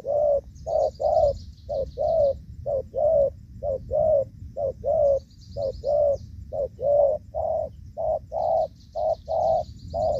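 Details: Spotted doves in Vietnam on a rainy evening around 5 pm, 23 July 2024, during rainy season trapping, give rapid, stuttering low coos, about one per second in uneven bursts, with high insect-like trills drifting in and out behind.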